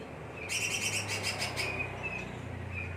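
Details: Green leafbird sings a quick burst of bright, rapid chirps and slurred notes lasting about a second, followed by a few thin whistles, over loud steady background noise.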